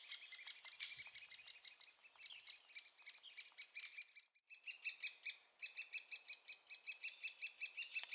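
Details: At Staverden, Netherlands, young great spotted woodpeckers being fed beg with a constant high, shrill chittering that swells midway into louder, rapid pulsed bursts, several every second.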